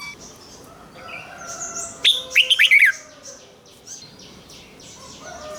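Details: 'Rik' style doubled song of a caged red-whiskered bulbul, played for young birds to learn: a short run of rapid falling and rising whistled notes over a background of thin chirps from other birds.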